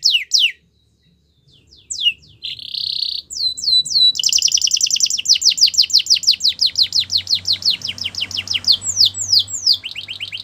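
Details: Belgian canary singing to make other canaries sing; scattered sharp down-sweeps and a short buzzy burst, a pause, then a long sustained fast trill of falling notes ending in slower slurs.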